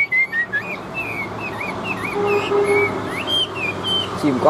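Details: Chinese hwamei in a cage, fanning its tail in competitive singing: a soft run of varied warbled and looping whistled notes, rising and falling in a relaxed rhythm.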